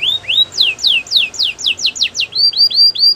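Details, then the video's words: Canary in song: rising whistled notes, then a rhythmic series of steep downslurred whistles about four per second, closing with repeated bright upslurred notes at a higher pitch. "Canary bird sounds | Your canary will sing a lot"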